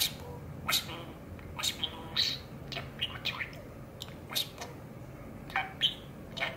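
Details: Male budgerigar, seven years old, kept as a pet, chattering while perched on a rope in his favourite spot; quick run of short, sharp chirps and squawky syllables in irregular bursts, mimicking human phrases, with steady low room hum beneath.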